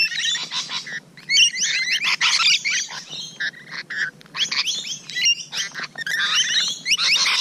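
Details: Rainbow lorikeets at close range on the morning of 12 June 2017, giving dense, overlapping screeches and chattering squeals in bursts, with short gaps of quiet between flurries.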